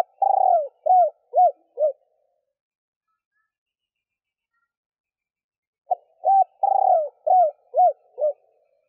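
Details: Calling female spotted dove meant to excite males; a long sliding coo followed by three short arched coos, a long silence, then the phrase repeated with a soft opening note.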